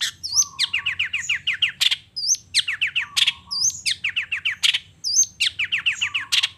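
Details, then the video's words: Long-tailed shrike in the morning, repeating a phrase about every one and a half seconds: a looping whistle, a quick run of falling chips, and a harsh burst, over a low flat tone. "Suara Cendet Gacor Di Pagi Hari Toet Toet Bongkar Materi"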